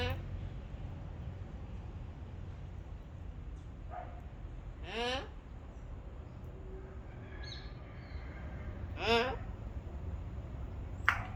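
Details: Turquoise-fronted amazon, a talking parrot, eating papaya; two short harsh squawks with rapidly wavering pitch, about four seconds apart, plus a few faint softer sounds over steady low background noise.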